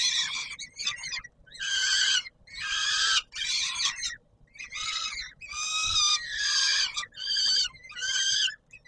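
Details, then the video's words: Warsaw peregrine falcon on the Palace of Culture and Science, 17 July 2022, at feeding time, giving loud grating wailing cries, one after another with brief breaks, some bursts broken into choppy stutters. "Sokół wędrowny PKiN Warszawa - Chłopaki wstawać kolacja"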